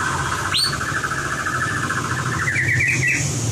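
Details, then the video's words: White-rumped shama song used to train competition singing: a long, rapid rippling trill at a steady mid pitch, rising toward its end, with a brief sharp upward whistle near the start, over a steady low hum. "Luyện giọng chòe lửa - luyện chòe lửa hót đấu (murai batu)"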